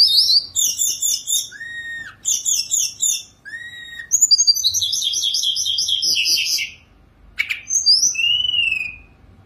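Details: Sunda robin kept in a cage, perched quietly and singing freely with luxurious fill-ins. Fast chattering trills alternate with clear downslurred whistles, one long buzzy phrase, then a smooth descending whistle.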